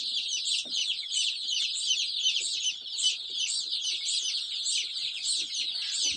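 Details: A large group of chicks, stated as 500, peeping together in a dense, unbroken chorus of high, overlapping cheeps that rise and fall rapidly throughout, with no other clear sounds.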